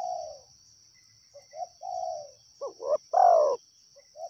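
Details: Quieter cooing from a wild spotted dove. Drawn-out falling coos come first, then a burst of short notes leading into one loud, rolling coo. An unbroken shrill insect buzz sits in the background.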